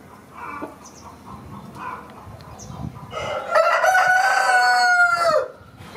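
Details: Rooster crowing: after about three seconds of soft, low murmuring sounds, a single loud, drawn-out harmonic crow holds a steady pitch for roughly two and a half seconds, then cuts off, leaving faint background noise.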